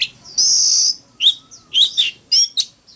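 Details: Oriental magpie-robin giving a fighting song: a long, harsh, buzzy high note, then short bright whistled phrases and chips with brief pauses between them.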